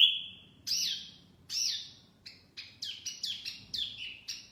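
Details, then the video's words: Lure song of a wambi mini: a sustained high whistle, then two sweeping falling notes and a quickening series of short, bright chirps over a faint low hum. "Kicauan Wambi Mini Pikat Gacor"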